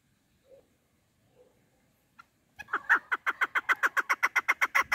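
A chukar partridge gives a fast, steady run of harsh clucking notes, about four a second, after a few soft, faint sounds at the start.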